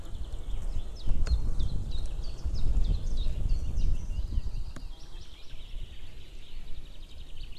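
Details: White-tailed eagles outdoors on 2 May 2016 near midday, a female calling with a male answering from afar, then both together: faint series of short yelping notes repeated rapidly, partly masked by steady low wind rumble.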